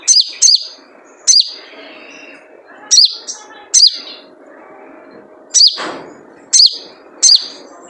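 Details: 'Jrejet cuit' lure call of a wild spiderhunter: piercing high chirps that dip and slur, often in quick pairs, repeated with pauses of about one to two seconds over a soft background hiss.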